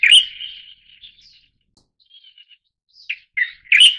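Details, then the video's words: Pycnonotus sinensis formosae, the Light-vented Bulbul endemic to Taiwan, opens with a loud slurred whistle that trails off, a few faint chirps follow, then another strong phrase of clear whistled notes. "白頭翁(白頭鵯)/Light-vented Bulbul"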